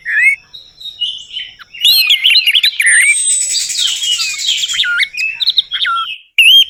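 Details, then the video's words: Lure song of an orange-headed thrush for coaxing a quiet bird to sing: a few scattered whistled notes, then a dense rush of high chattering and slurred whistles with a long falling whistle woven through. "PANCINGAN TERBAIK TERAMPUH UNTUK BURUNG ANIS MERAH MACET BUNYI, PASTI LANGSUNG NYAUT"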